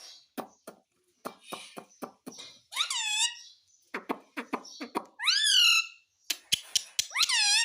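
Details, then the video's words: Talking parrot begging for roti: scattered sharp clicks and pops mixed with three loud, nasal, harmonic calls that rise and then fall, heard indoors. "मम्मी मिट्ठू को रोटी दो _ Parrot Talking Everything"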